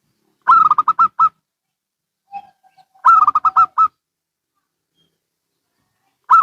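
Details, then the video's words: Zebra doves of local and Bangkok types answering one another: loud bursts of six or seven fast, rolling coo notes about every two and a half seconds, with a faint string of low soft coos between. "Perkutut Lokal & Bangkok Bunyi Saling Bersahutan"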